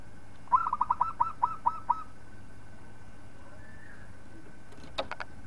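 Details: Local zebra dove song for tutoring other birds: a quick run of about eight soft, rolling coos, followed by a long quiet stretch and a few sharp clicks near the end.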